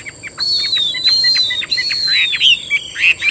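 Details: Chinese hwamei kept as a cage bird in Vietnam, delivering long, sweeping whistled slurs that glide gradually downward, laced with short chipping notes; a constant faint high tone runs throughout.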